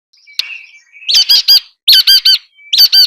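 Nuthatch giving loud, nasal, squeaky notes in quick bursts of three, after a faint thin whistle at the start.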